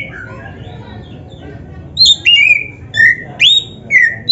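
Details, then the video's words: Black-breasted Oriental magpie-robin song meant to train and trigger singing in other birds: a faint, quiet opening, then loud clear whistles, falling and rising in turn, repeated at a brisk pace over steady low noise. "KICAUAN BURUNG KACER TERBAIK"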